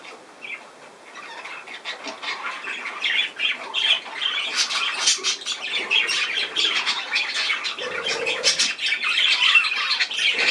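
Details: Pet budgerigars recorded on 10 June 2024 in a busy stream of harsh squawks and rapid twittering notes. The sound starts softer and grows steadily louder and denser toward the end.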